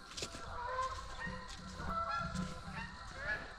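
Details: Canada geese, with the young raised on the property that season, call from a lower pond as they approach on 5 October 2024. Overlapping nasal honks from several birds form an irregular chorus, with faint background music.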